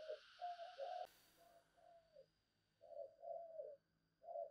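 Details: Decoy spotted dove giving repeated low coos in the thúc and gáy gọi style. A steady high insect-like buzz runs behind, and a sharp click is heard about a second in.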